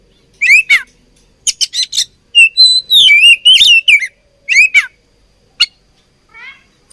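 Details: Oriental magpie-robin song during a fight: clear downslurred whistles, trills and harsh chattering notes in irregular phrases, with short gaps, on a quiet background.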